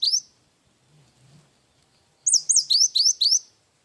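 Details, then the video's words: Cinereous tit singing with a wingko-type fill. One rising whistle, then after a pause five loud, separate up-and-down swept notes in quick succession. Clean, quiet background. "Burung gelatik batu gacor isian wingko"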